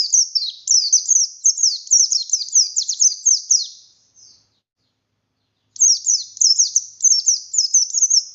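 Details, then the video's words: Oriental white-eye, buxtoni, a kept bird singing in insistent 'nembak' fashion: a rapid torrent of high, sharp, falling whistles, a break of over a second, then the same bright run resumes. "Burung pleci Buxtoni Gacor Buka Paruh Nembak Bongkar isian"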